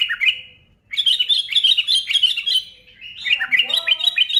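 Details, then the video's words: Kutilang, the sooty-headed bulbul, in active song meant to trigger other bulbuls to sing: a short slurred phrase, then long run of fast bubbly chirps and warbles, ending with quick descending notes. "SUARA BURUNG KUTILANG GACOR, SEKALI PUTAR DIJAMIN LANGSUNG NGGARUDA AUTO NGAMUK"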